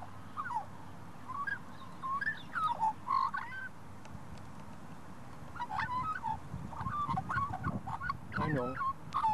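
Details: Wild Australian magpie, possibly a Pied Currawong, calling back to a man in a shopping centre car park in Australia: bursts of warbling, gurgling notes repeated in two groups separated by a pause, over low background rumble.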